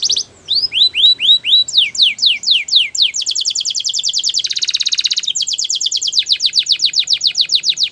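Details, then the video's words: Canary song of falling whistled notes speeding up into a fast trill, then a dense buzzy roll, followed by a long run of rapid, evenly repeated notes. "Canary's most powerful song for training | Canary sounds"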